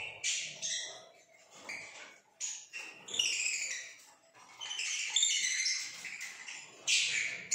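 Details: Pale fellow lovebirds in Pakistan give a continuous chatter of shrill, high chirps and squeaks, rapid and irregular, several birds overlapping in loud bursts with brief pauses.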